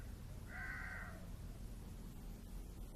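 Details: A crow gives one harsh, drawn-out caw lasting about half a second, over a steady low rumble of traffic.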